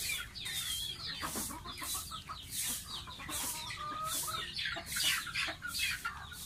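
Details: Baby pet domestic goose taking a bath: quick, thin, upward-sliding peeps scattered irregularly over steady splashing and dripping water, with wet bursts sounding about once per second.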